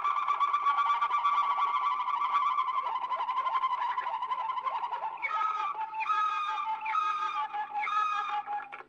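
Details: Waterslager canary song from an old Belgian recording: a long stretch of continuous rolling, bubbling tones, then short ringing phrases repeated about once a second.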